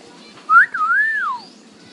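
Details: A talking common hill myna in the Philippines gives one clear, human-like whistle, about a second long, that rises, wavers and then slides down, with no other sound.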